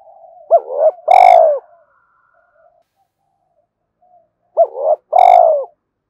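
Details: Spotted dove coo phrase for luring and training decoy birds, given twice about four seconds apart: each a quick rising double note followed by a loud, drawn-out pulsing coo that falls away.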